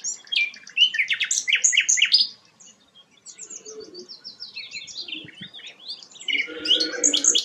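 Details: Sikatan londo flycatcher singing actively, its song used as a tutor for magpie-robins: quick, varied high chirps and buzzy trills, then a quieter pause with soft twitters, ending in a loud burst of harsh notes.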